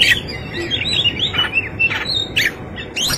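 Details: Kacer, or Oriental magpie-robin, delivering rich fighting song: looping whistled slurs rising and falling in quick succession, followed by harsh chattering bursts and high sharp notes, steady background hiss throughout.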